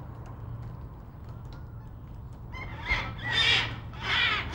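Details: Black cockatoos at Nerrina, Victoria, recorded in 1999: after a quiet start with low steady hum, three loud, harsh, drawn-out screeching calls follow one another in the second half.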